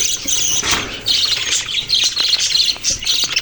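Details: Budgies chattering in a busy stream of high, squeaky chirps and short squawks that overlap without pause.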